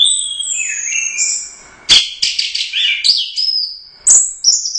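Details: Orange-headed thrush, a Royal Cup first-place competition bird, giving gacor teler doyong song: very high, thin whistles mixed with sudden sharp chips and rapid twittering bursts, about four phrases in five seconds.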